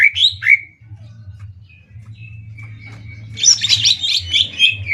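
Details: Greater green leafbirds in a Banyuwangi versus Kalimantan singing contest; a few rising whistles, a long faint thin whistle, then a burst of busy high chattering notes over steady low hum.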